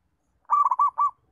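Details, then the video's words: A single song phrase from a local zebra dove kept as a training bird for other doves: four or five fast, gurgling coo notes run together in under a second, clean and quiet around it. "Perkutut Lokal Mapan, bagus untuk melatih perkutut belajar bunyi"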